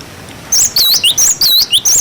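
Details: Young birds are tutored with this cinereous tit song in the 'wucit wucit' style: crisp, high whistles alternating between looping U-shaped swoops and short downslurred notes, about six notes in one and a half seconds.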